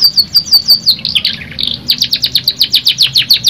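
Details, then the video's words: Pancingan canary song used to coax a stressed bird into singing freely: high rapid down-sweeping chips that run together, then a short buzzy, rasping passage before the regular quick chip series returns, steady about six notes per second. "PANCINGAN KENARI STRES BUNYI JADI GACOR NO 1 | CANARY SINGING"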